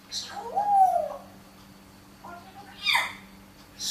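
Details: Speaking parrot: a drawn-out, gliding, word-like syllable, then quieter mumbling and a sharp, breathy burst, all over a faint indoor hum.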